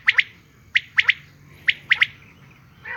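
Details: Female common quail calling: sharp, clipped notes in tight groups of two or three, each group repeated about every 0.9 seconds over a faint low background rumble.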